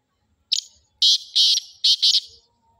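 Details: Black francolin of the Sindhi type giving its loud rasping call: one brief scratchy note, a pause, then two long buzzy grating bursts followed by two shorter harsh notes in quick succession, with little else audible.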